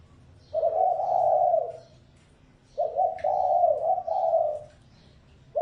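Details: Spotted dove decoy call used to lure wild doves: a long, low, mellow coo, then after a pause a phrase of a short stuttered note followed by two drawn-out hollow coos, another phrase just beginning at the end.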